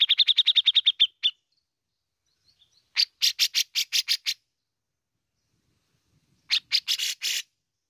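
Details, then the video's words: Bearded bulbul from Indonesia in ngepik and besetan styles. The clip opens with a rapid run of about ten clean, high pips. Two later bouts of harsh, grating, buzzy notes follow, each five or six long. "BESETAN DAN NGEPIKNYA OKEH BANGET ,REKOMENDED UNTUK PANCING BUNYI .CUCAK JENGGOT GACOR"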